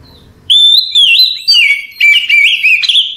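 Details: At night, an Oriental magpie-robin gives easy-going song for conditioning other magpie-robins: a long bright whistle slides lower into rapid twisting notes, broken into four or five loud bursts separated by brief pauses.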